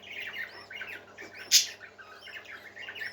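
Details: Several parakeets chattering indoors, a continuous mix of warbled and scratchy notes around a middle-high pitch, with one sharp loud squawk just past halfway and a steady low electrical hum beneath.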